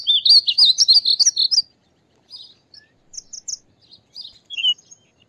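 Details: Painted bunting song from the U.S. Gulf Coast region: a rapid, loud run of high twittering, warbled notes lasting over a second, then quieter scattered chirps and short warbles after a pause.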